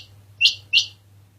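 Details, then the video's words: Quail calling: two sharp, high, upswept notes in quick succession, about a third of a second apart, over a steady low electrical hum. "Dhoghla Batair Ki Awaz | Harlequin Quail Calling | King Quail Calling | Female Rain Quail Calling"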